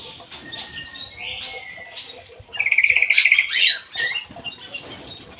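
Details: Aviary kutilang emas singing busily: a rising whistled slur, then a rapid run of evenly spaced clicking notes leading into a loud burst, followed by softer chirps over a noisy background.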